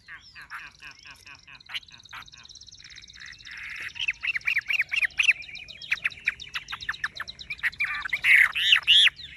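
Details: Caged Chinese hwamei with golden-yellow plumage: a busy run of short chattering notes, then a quick series of clipped whistled pulses, growing louder toward the end.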